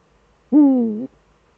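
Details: Single deep, steady hoot of a Eurasian eagle-owl during a duet, the male at its nest in the Eifel on a December evening; the note holds level for about half a second, falling slightly, in quiet surroundings.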